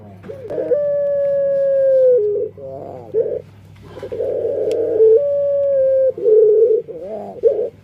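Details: Dove (burung puter) with a strange voice, unlike other doves, producing long, clear, level tones that sag slightly, alternating with short warbled bursts and quavering segments, over a low steady hum.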